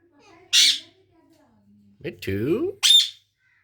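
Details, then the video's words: Pet Indian ringneck parrot indoors: a harsh, broad squawk, a stretch of voice-like warbling with layered tones, then a second loud squawk, with quiet room sound between. "Parrot sound complation"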